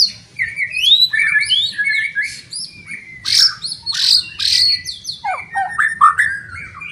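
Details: White-rumped shama pouring out a loud, fast jumble of mixed chirps, squeaky slurs and harsh notes, meant to provoke other shamas to fight, with a steady low hum behind.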